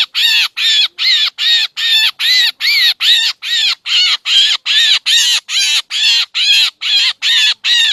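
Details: Trapping lure of black drongo voice from Laos and Thailand's Isan: a long, very even run of about twenty harsh, nasal, arched calls, some two per second.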